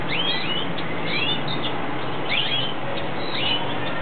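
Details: A red siskin in its breeding period gives short, high twittering chirps about once a second, over a steady low rumbling hum.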